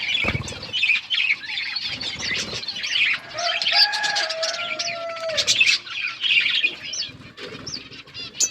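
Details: Budgerigars chirping while eating, a mix of warbled twitters and scratchy notes, with a longer steady whistled tone held across the middle and occasional low knocks.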